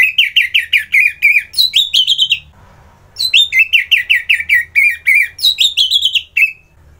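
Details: Orange-headed thrush from Kubutambahan, Bali, singing vigorously in the morning. Continuous chains of loud, quick, downslurred whistles are broken by higher rising notes. A brief pause occurs midway before the rapid repeated phrases resume.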